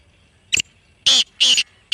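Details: Black francolin (kala teetar) calling, meant to be played near a kept bird to set it calling and active; short harsh, scratchy bursts repeated roughly every half second.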